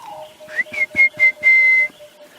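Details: Orange-breasted Bushshrike (Chlorophoneus sulfureopectus) calling in the dawn chorus at sunrise on 5 October 2016, in a drainage line where sound echoes off the trees: a rising whistle, three short even ones, then a long drawn final whistle over a low hum.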